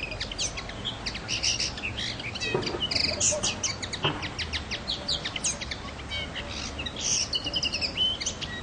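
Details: Common linnet singing a rapid, twittering run of high chirps and short trills, each note brief and varied, over steady broadband background hiss.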